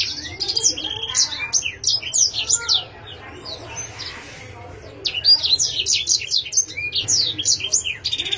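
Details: Canary twitters and trills rapidly for a few seconds, falls quiet for about two seconds, then resumes a lively stream of high chirping notes.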